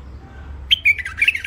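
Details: Mule finch, a thick-throated first-isolation bird, starts after a pause with a fast phrase of clipped chirps and slurred trilled notes over low hum.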